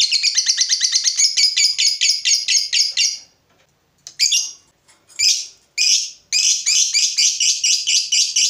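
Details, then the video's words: Fighter lovebird, stirred up by a rival, in long 'ngekek' song: a fast shrill rattling trill for three seconds, a pause, several separate harsh bursts, then the rapid chatter resumes. "Lovebird FIGHTER terpancing Panas, nyaut Ngetik lanjut Ngekek Panjang"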